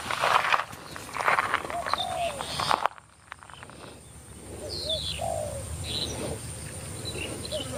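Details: A decoy Spotted dove at a trapping site about 50 m from the recorder calls and coos to lure wild doves. It gives soft, low, hollow coos in short phrases every second or so, with small birds chirping, a man speaking and rustling.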